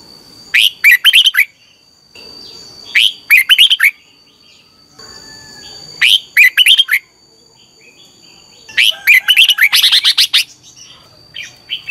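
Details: Red-whiskered bulbul singing during morning practice. Four rapid phrases of bubbly whistled notes at intervals of about three seconds, the last one longer and busier, over a faint steady high tone.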